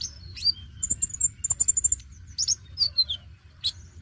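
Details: Oriental magpie-robin song used to encourage young birds to sing: a quick run of high piercing repeated notes, then slurred falling whistles and a few sharp chips, over faint low hum.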